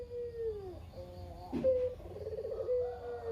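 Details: Lone pet Barbary dove, kept as a lure for quiet doves, cooing steadily. A falling tail note, then a sharp knock, then another rolling coo that ends in a long sustained tone.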